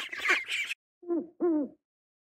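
An owl gives two short, low hoots about half a second apart, each with a slight fall. A harsh, rushing noise comes just before.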